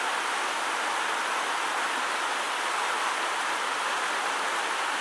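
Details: Steady broadband rushing of water, like a stream or rain, fills the recording without any audible animal.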